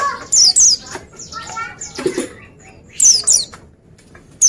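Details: Oriental white-eye (pleci) song: paired high, fast-falling chirps in bursts, with softer buzzy warbles and low rustling between them.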